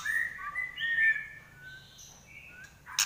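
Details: Murai batu, the white-rumped shama, Trek Pastol type with a piercing 'nyelit' voice. Clear drawn-out whistles step between pitches, then a few higher notes follow. A sharp click closes the phrase.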